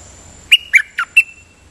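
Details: Dok Taeng bird singing in a double-note (lak boen) style, with four bright chirps, each dropping in pitch, in quick succession over a low murmur.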